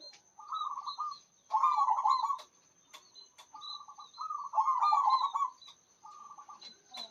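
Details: Loud-voiced local zebra dove in full song, giving repeated bursts of rapid, rolling coo notes that run together into trills, with short pauses between phrases. Faint high chirping from other birds and a constant thin whine in the background.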